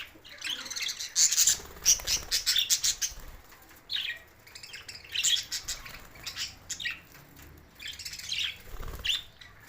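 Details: Budgerigar calls from Larkana, Sindh, June 7, 2024: a run of fast, scratchy chirps early, then scattered squawky bursts and soft twittering with quiet gaps.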